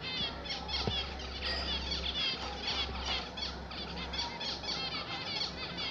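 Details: Several zebra finches at home keep up a thick chorus of nasal, harmonic beeping and quick buzzy phrases over a constant low hum.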